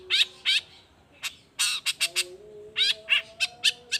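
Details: Long-tailed shrike singing in the morning, midday and afternoon, used to prompt other shrikes to answer: harsh, buzzy broadband notes in short bursts and pairs, separated by brief pauses, over a low steady tonal hum.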